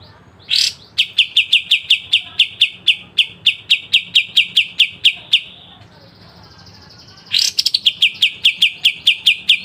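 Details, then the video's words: Pied triller training song with sharp bursts: a harsh opening note leads into about twenty rapid high ringing notes at a steady pace, a brief lull with a faint buzzy note, then another harsh burst and fast series. "Masteran full kapas tembak dengan besetan tajam"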